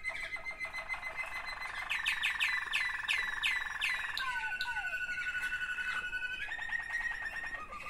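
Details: Two sibling Waterslager canaries sing a steady low roll beneath rhythmic descending chirps, a long drawn whistle, and a final run of fast bubbling notes.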